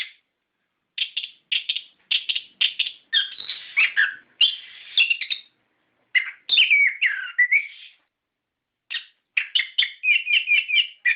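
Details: Song of an orange-headed thrush, meant as a lure to make caged thrushes sing: long runs of quick chattering notes mixed with falling whistled slurs and a fast repeated trill-like series near the end.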